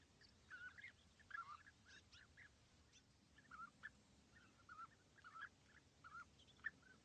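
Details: A pair of European bee-eaters perched in small trees about 80 m away at East Leake Quarry, England, on a very sunny morning, 5 July 2017, give short rolling burry 'prruip' notes, bunched then about one a second, over faint hiss.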